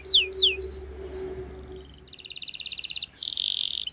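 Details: Canary song intended to teach young canaries: two loud downswept whistles, a quiet pause with low hum, then a rapid buzzy rattling trill shifting into a higher pulsed roll.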